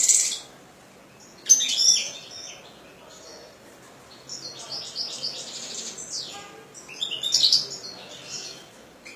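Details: European goldfinch, a kept bird, delivering sharp high chirps. The song opens with a loud burst, goes quiet, then returns with stuttering trills and a final bright flourish. A faint hum sits underneath.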